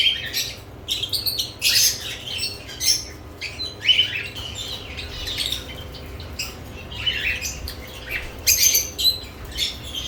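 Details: Lovebirds busy with newly added nest boxes, uttering separate sharp chirps and brief harsh squawks in irregular bursts with short gaps between, over a faint steady low hum.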